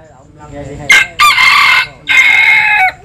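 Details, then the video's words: Jap Cuban bantam rooster crowing while sunbathing: a short sharp note, then two loud, harsh, drawn-out crowing phrases, each nearly a second long, bright and strained, with a quiet background. "Gà Tre Jap Cuban Tắm Nắng. Gà Gáy/ Chicken Bamboo Jap Cuban Sunbathing. Crow"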